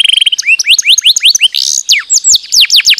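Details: Canary song used as a lure to get lazy kept canaries singing: a brief high trill opens, then a fast run of loud upward-sweeping whistled notes, several per second, ending in steep downward slurs.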